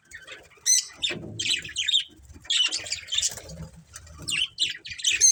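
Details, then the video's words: A family of colourful pet budgerigars trading busy, squeaky chirps and buzzy warbled phrases in irregular bursts, with faint low rustling beneath. "Cute Colourful Budgies Chirping Sounds"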